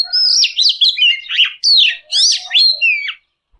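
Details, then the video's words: A varied, scratchy Oriental magpie-robin song: buzzy slurred phrases and rasping sweeps mixed with sharper whistles, with a soft lower whistled note running beneath at the start and end. "Tiếng Chim Chìa Voi (Chích Chòe) Hót Chuẩn 2020"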